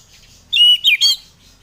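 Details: Single short phrase from an orange-headed thrush, used to spur reluctant birds into singing: three rich, slurred whistles in quick succession, the middle one dipping and the last rising.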